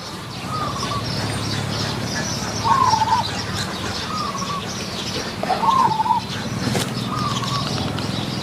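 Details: Zebra doves lured with a caged decoy dove at Wapi district, Maha Sarakham, Thailand: short wavering coo phrases near mid pitch recur every second or two, some louder and closer, over steady low rural background hum.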